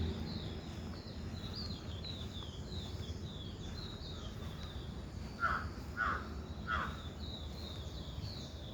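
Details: Birds outdoors: faint high chirping notes in the background throughout, then three louder harsh caws about half a second apart, over a steady low rumble of environmental noise.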